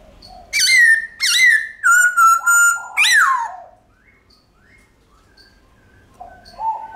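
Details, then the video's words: Forest-style song of a White-cheeked laughingthrush, long and drawn out: clear, strong whistles, some held and gently falling, ending in a sharp downward slur, followed by near quiet and soft faint notes. "Khướu Bạc Má Hót Giọng Chuẩn Rừng Ngân Dài Cực Hay"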